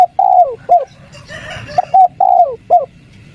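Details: Spotted dove 'kuk 3' cooing, played to draw replies from wild doves: two soft, hollow phrases, each a brief coo, a long sliding note dropping in pitch, then a short closing coo, with faint background murmur.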